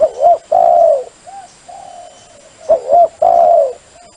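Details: Dove cooing as a lure call: paired short rising coos followed by a long level coo, the sequence repeated after a soft trailing coo, clean and close with only a steady faint background hum.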